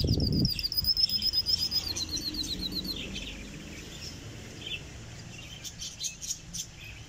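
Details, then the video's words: Canary singing, recorded close up in North Rhine-Westphalia, Germany: high, rapid trills of quickly repeated notes with a few quick changes of phrase. A low thump and fluttering come at the start. "Kanarienvogel singt"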